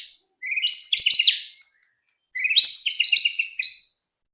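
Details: White-rumped shama song meant to stir other birds to sing quickly: two rich, fast, chattering high phrases with rising notes, separated by a pause of about a second.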